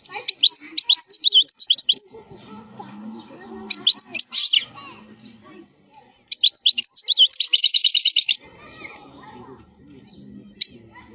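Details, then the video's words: European goldfinch singing khalwi-style wild song, used for teaching young goldfinches to sing: rapid bursts of bright, high twittering notes and buzzy trills in two long phrases separated by pauses, with faint low rustling between them. "الحسون الخلوي تغريد قوي صوت عالي"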